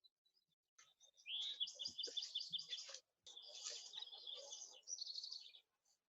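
A house wren sings two fast, bubbling, chattering bursts, each about two seconds long, high and tumbling. Faint handling thumps are heard in the background.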